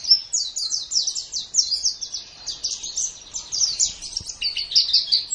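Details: Unbroken stream of high, rapid twitters and chirps from a white-eye, a training recording for caged songbirds meant for morning or evening use.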